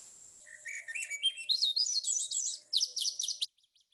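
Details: A Swainson's Thrush, a summer arrival, sings a fluty, breezy phrase spiralling steadily upward over about three seconds, ending in high, buzzy notes, over a faint low hum. Finding: Swainson's Thrush.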